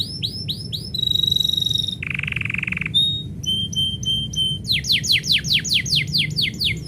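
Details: Canary singing as its owner is about to leave: a fast varied song of looping whistles, a steady high whistle, a buzzy low trill, then bursts of repeated downslurred notes, over a low background hum.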